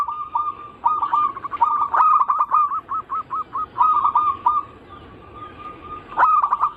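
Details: Zebra dove song meant to draw song from other zebra doves: groups of quick, hooked coos in uneven runs, a soft drawn-out tone, then a final loud burst with clicks.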